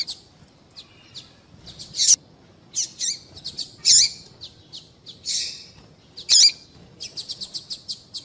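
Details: Female double-collared seedeater calling, a sound meant to stir males into singing: clusters of high, thin chips and squeaky bursts, some in quick runs of four or five notes, with louder harsh peaks at intervals.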